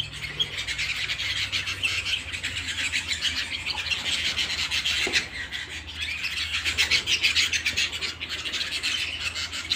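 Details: Canaries singing at home: a dense, continuous wash of high, rapid chirps and trills that runs steadily throughout, swelling slightly toward the end, with a low background hum underneath.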